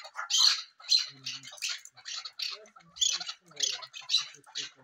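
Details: Female chukar partridge kept as a fighter bird, giving harsh, raspy, broadband bursts repeated about twice a second in uneven rhythm, with faint low sounds between calls and an indoor feel.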